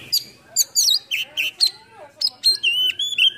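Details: Oriental magpie-robin, tail opened cobra-style, singing a full, varied repertoire. Rich whistled notes come in short bursts, followed by longer steady, ringing tones near the end.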